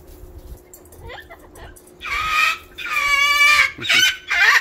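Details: A pet cockatoo freaking out, waking the neighbours, gives four loud, raucous screeches in quick succession, harsh and grating, after two seconds of near quiet with faint background rumble.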